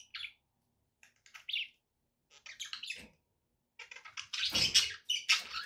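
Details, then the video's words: Pet budgerigars produce scattered chirps and soft twitters that swell into a loud, busy chorus of rasping warbles and squeaks in the second half. "relaxing budgie sounds"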